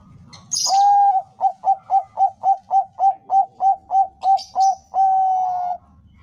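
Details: Zebra dove of the Bangkok type singing a phrase meant to lure other doves into song: a sustained opening coo, a run of about thirteen rapid staccato coos, and a long closing coo. Short high chirps come before and near the end.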